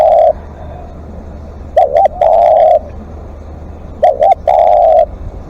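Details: Spotted dove used live as a decoy, calling repeatedly: a long coo ends, then two phrases of double short hoots followed by a sustained soft coo, close and clear.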